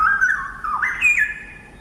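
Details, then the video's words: A Straw-headed Bulbul sings a loud, very melodious, flute-like phrase of rich, gurgling whistles that slide up and down before rising to a higher note at the end. "if you go to a nature reserve like Dairy Farm Nature Park, you'll definitely not miss these guys because their songs are very loud and very flute-like, very melodious as well."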